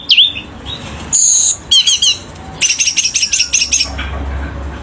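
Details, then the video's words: Caged selendang biru bird singing vigorously, a varied burst of high whistled notes, a bright sustained tone, then a fast run of repeated chattering chips, with faint low background hum. "Burung Selendang Biru GACOR !!!"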